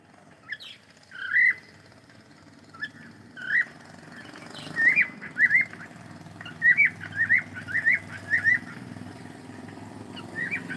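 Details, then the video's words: Cockatiel chirping during play, a run of short upward-slurred whistles that grow more frequent toward the end, with faint background noise. "Cute Cockatiel singing and sound and playing"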